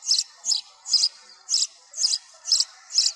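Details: Sparrow chirping with noise removed: high, bright chirps repeated steadily about twice a second, with a faint hiss in the background.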